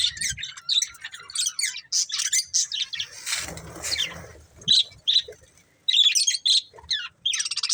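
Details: Breeding pair of budgerigars chirping: dense bursts of high, scratchy chirps and warbled notes, a brief broad rustling burst like wing flapping near the middle, then short separated chirps before the busy chatter resumes.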